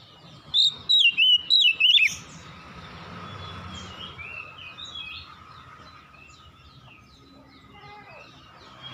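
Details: Oriental magpie-robin at dusk delivering five quick, sharp whistled notes with twisting pitch, then silence apart from soft environmental noise and faint distant bird notes.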